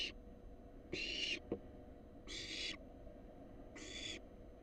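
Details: Wild barn owl fledgling gets a rat delivered at its nest box, giving rasping hiss-screeches of about half a second, spaced roughly 1.3 seconds apart, plus a brief knock.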